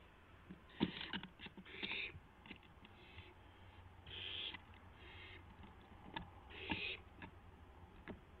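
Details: Young barn owl exercising its wings around midnight, April 12, 2016: repeated rasping hiss calls spaced a second or two apart, mixed with scattered clicks, taps and thumps from movement.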